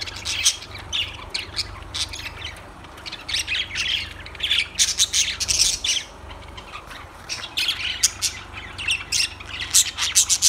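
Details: Lovebirds chattering continuously, with dense shrill chirps and squawks crowding over one another and rising into louder clusters, over a faint low background hum.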